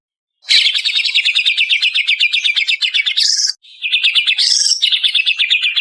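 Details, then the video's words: Greater green leafbird (cucak ijo Banyuwangi) lure song played to train birds: rapid trilled notes around 2–4k in a long continuous run, a brief pause, then a second trill with an upward sweep. "Suara Pancingan Jitu Cucak Ijo Banyuwangi"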